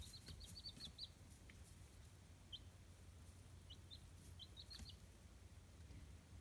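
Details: Free-range native chicken chicks in Kitahiroshima, Hiroshima Prefecture, Japan, peep in high, thin notes. A rapid cluster of peeps opens, then sparser chirps and a second quick run near the end. A soft background hum continues throughout.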